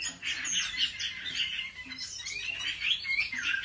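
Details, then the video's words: Chinese hwamei singing at home for competition training: dense, fast-changing whistled warbles, partly blurred by background noise. "Họa mi hót đấu cực hay"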